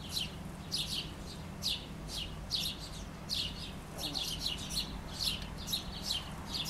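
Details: Chickadee feeding by a house, heard through an open back window; repeated high, buzzy note clusters about once a second, speeding into a denser run of dee notes near the end, over a low steady hum.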